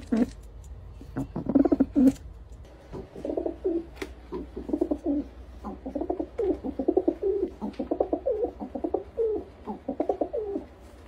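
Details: Pigeons cooing: low, throaty, rolling coos in overlapping bursts, steady through the second half, after a few sharp knocks and rustling sounds at the start.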